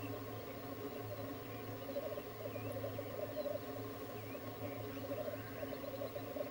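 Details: Lekking black grouse: a dense murmuring chorus of soft bubbling, rolling coos without pause, with a few faint higher thin chirps scattered above and a steady low hum beneath.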